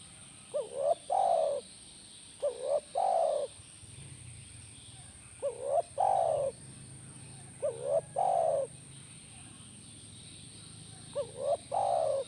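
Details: Spotted dove (tekukur) repeating its call for a caged bird to answer: five phrases at roughly two-second intervals, each a brief rising double note then a longer steady coo, over a low background hum.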